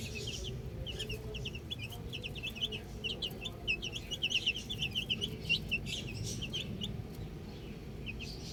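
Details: Outdoor baby chicks keep up a busy chorus of sharp, high, falling peeps, dense and overlapping through the middle, thinning toward the end, with faint low rumble beneath.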